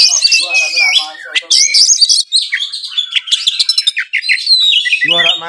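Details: Caged Oriental magpie-robin from Kudus, Indonesia, singing a rich medley of mimicked phrases: high whistles, sliding slurs and rapid buzzy trills, ending with a harsh nasal chattering phrase.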